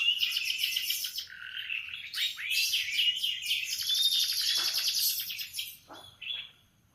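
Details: In the morning a canary sings a lively sequence of fast trills, downward sweeps and buzzy rolls, a dense high stream ending with a few separate short notes.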